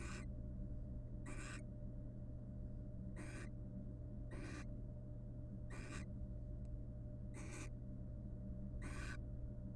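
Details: Wild barn owl pair in a monitored nest box, courting by preening each other's feathers; seven harsh, breathy hissing screeches, each under half a second, repeated roughly every one and a half seconds over a constant low electrical hum.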